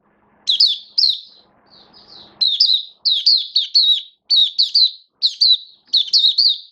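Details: Oriental white-eye, a hobby songbird in build-up form, recorded 19 September 2022, delivering bright high twittering phrases of quick slurred chirps, repeated in clusters about every half second after a soft rustling start.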